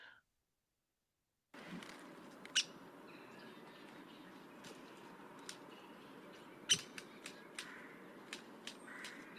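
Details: A Downy Woodpecker gives its very soft "pik" call: two sharp, high notes several seconds apart, with a few fainter ticks over a steady low hiss.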